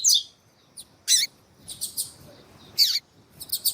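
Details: Female coleiro (double-collared seedeater) calling to stimulate the male: scattered bursts of sharp, very high chips and short buzzy notes about once a second, with irregular quiet gaps between them.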